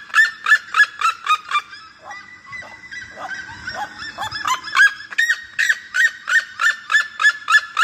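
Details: Red-legged seriema singing: loud, yelping notes repeated about three times a second, briefly breaking into a looser, lower-pitched jumble of cackles before resuming the rapid, regular yelps.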